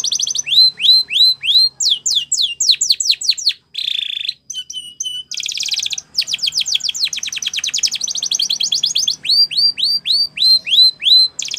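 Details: Spanish Timbrado canary song for training young canaries: strings of sharp descending high notes about three per second, interrupted by buzzy rolls and clipped trills, loud and continuous.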